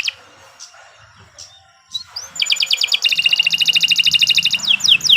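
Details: Canary's master song for training, beginning with faint scattered chirps, then swelling into a loud, fast, rattling trill and a few falling whistles.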